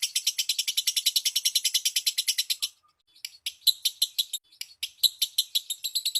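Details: Lure song of a lovebird meant to prompt others to sing: a thick burst of quick grating chirps, a half-second silence, then looser, uneven chirps resuming.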